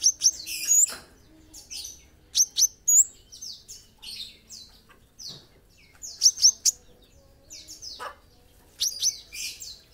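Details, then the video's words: Olive-backed sunbird, local name kolibri ninja, singing vigorously: clusters of shrill, very high chips and sweeping, sizzling twitters repeated in bursts every second or two. "masteran kolibri ninja gacor"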